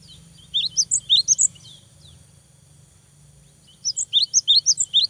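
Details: Cinereous tit in full 'gacor' song, meant to goad a rival bird to answer. Two short bursts of high, bright chirping notes, each under a second, with alternating low and high pitches, separated by about 2.5 seconds of quiet.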